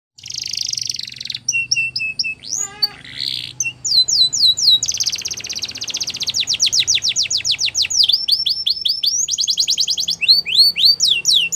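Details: Belgian canary champion song used for training young canaries: loud, high buzzy rolls and rapid trills, sweeping whistled notes and a brief lower warble, fast varied phrases in quick succession, faint low hum beneath.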